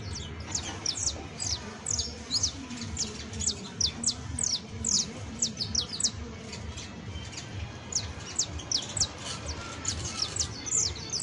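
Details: Song of a saffron finch, local canario criollo exemplar: rapid high chirps and short descending whistles in loose bursts throughout, steady faint low rumble in the background.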